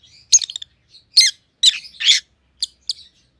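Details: Caged rosy-faced lovebirds, white-headed pallid and green opaline siblings, utter harsh, buzzy chirps in uneven clusters, a longer grating note near two seconds, then two brief clipped tweets against a quiet background.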